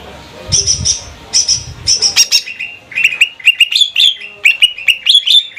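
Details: Banyuwangi cucak ijo trotol, a kept greater green leafbird whose song is played as a lure. High piping notes in paired bursts give way to a run of short, sharp whistled chirps, slightly rising, with a soft low hum.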